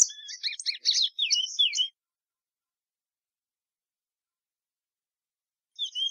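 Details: Plumbeous seedeater delivering a quick burst of high twittering and down-slurred whistled notes for about two seconds, then a long silence before a few notes resume at the end.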